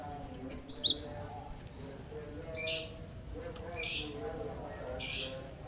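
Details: Cinereous tit recording meant to prompt lazy cage birds to answer and sing: two clipped high whistles with a falling tail note, followed by three separate rough hissing bursts, with a constant low hum underneath.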